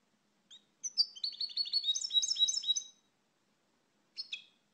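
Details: Portuguese goldfinch, Carduelis carduelis, delivering a two-second stream of quick, jangling, twittered notes weaving up and down, followed after a pause by one brief buzzy call note; clean, quiet recording.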